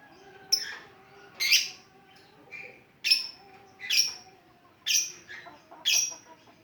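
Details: Lovebird performing the 'ngetik' style, meant to trigger singing in other lovebirds: a steady run of high, scratchy chirps, roughly one each second, some doubled, over a low background hum.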